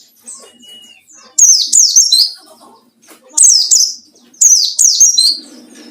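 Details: Wild-style 'ngalas' song of a white-eye searching for rivals, played as a lure; shrill, fast descending twitters in three loud bursts, preceded by softer high chirps and one short thin whistle, with faint low background noise.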